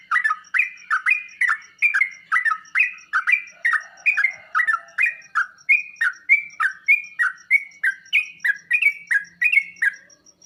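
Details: Sooty-headed bulbul song meant to trigger kept birds into answering and singing: a long run of fluty, bouncing two-part phrases, about three a second, with a faint high ticking behind.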